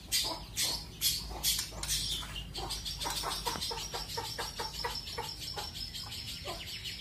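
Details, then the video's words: Long-tailed shrike, a kept bird, sings training material of the styles called roll speed and roll tembak: a few loud chirps, then a fast, even run of short, sharp, high notes, about two a second. "CENDET PASTOL MATERI ROLL SPEED DAN ROLL TEMBAK"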